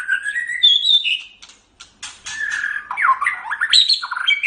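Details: White-rumped shama singing on a cage-bird training track: melodious whistles shift into harsh squawky chatter and fast descending slurred notes, almost without pause.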